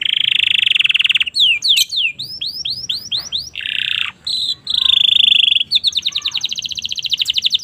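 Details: Domestic canary song used as a training recording for young canaries: long buzzy rolls alternate with fast series of rising and falling whistled sweeps, a steady high trill and sharp ticking runs.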